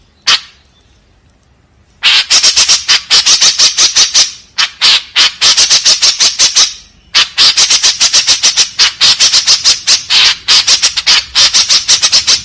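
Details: White-breasted woodswallow giving harsh, rapid-fire calls: dense runs of short, scratchy bursts repeated several times a second, broken by brief pauses near the start and twice midway, with no other clear sounds.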